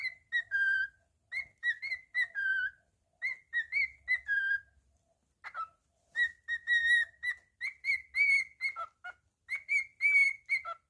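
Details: Pet cockatiel singing a whistled tune: phrases of clear, tonal notes with bright overtones, short notes strung together then falling slurs, repeated in two-second groups separated by short silences, quiet room.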